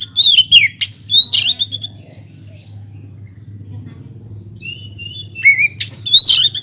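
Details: Oriental magpie-robin singing in an aviary as a lure for other songbirds: two loud clusters of slurred whistles and buzzy notes, a long near-silent pause, then soft whistles building into a loud final phrase.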